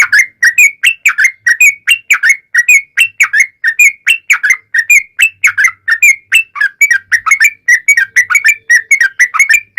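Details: Yellow-vented bulbul pouring out a continuous ropel panjang song intended to draw replies from other bulbuls: clear, quick whistled notes in a dense, unbroken rattle of slurred phrases lasting about ten seconds.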